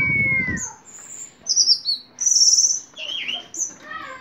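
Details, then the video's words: Orange-headed thrush, caged ringed bird, singing vigorously: varied high whistled and warbled phrases with short trills, sliding notes and pauses, preceded by a brief low rumble at the start. "Anis merah gacor teler"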